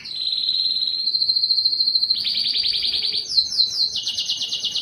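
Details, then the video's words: Yellow canary in song, opening with a steady even whistled trill, then dropping into a fast rattling roll and closing with high ringing trills that step down in pitch. "yellow canary singing"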